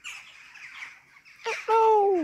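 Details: Jackdaws greeting in the morning: scratchy, hoarse squawks, then a loud, clear, drawn-out note that slides gently downward, like a spoken 'hello'.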